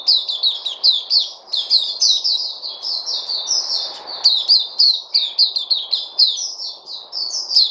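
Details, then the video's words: Captive Puteh (white-eye), recorded 03/08/2020: long, unbroken stream of rapid, high, sharp chirps and slurs, steady in pace for nearly eight seconds, with a soft background hum. "Puteh Crazy"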